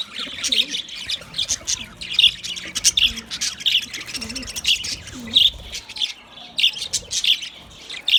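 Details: White budgerigars chirping in short repeated bursts, high squeaky notes clustered roughly every half second to second, with faint low wavy cooing sounds in the background.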